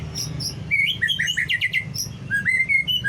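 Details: White-rumped shama song used to provoke other shamas into singing: rapid varied chirps and whistled notes, sharp descending slurs, then a run of rising whistles, over low background hum.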